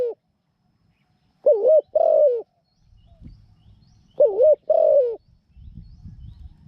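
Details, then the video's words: Spotted dove serving as a decoy for catching wild doves, cooing in two twin-note phrases spaced about three seconds apart, with faint rustling between them. "นกต่อตัวใหม่ "จ้าว บัวขาว " จัดเชลย เสียงเล็ก คูเก่ง"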